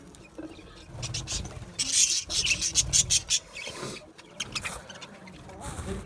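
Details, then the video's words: Aviary budgerigars chirping in a flock: dense runs of sharp, high-pitched chattering notes in quick succession around the middle, quieter isolated chirps before and after, with faint low rumble underneath. "Budgie chirping sound | Budgie parakeet singing | Budgie aviary sound"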